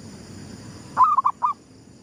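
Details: Zebra dove of the gedong mengo style, a lure recording, cooing at sunrise: one short phrase of four bubbly, rolling coos near one pitch, the first longest, over quiet low background hum.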